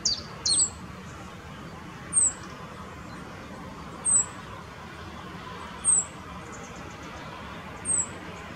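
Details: Male rock bunting carrying a grasshopper, Moselle valley near Valwig on the Apolloweg: sharp, high, thin descending 'zit' calls repeated roughly every two seconds after a couple of quick opening notes, in a calm outdoor setting.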